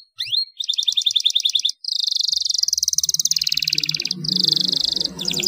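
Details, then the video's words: Canary rolling, high-shooting song used as a lure to train young canaries: an opening rising sweep, then long continuous rapid trills, buzzy and pulsing, changing pitch only slightly, with a brief break midway and a low hum beneath. "SUARA CUIT CUIT KENARI NGEROLL NEMBAK UNTUK PANCINGAN KENARI MUDA BAHAN PAUD"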